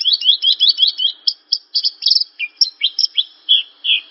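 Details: Javan bush lark song used as a masteran training recording for caged birds: rapid high chirps and short slurred notes, about three per second, with buzzy falling elements near the end. No other sounds.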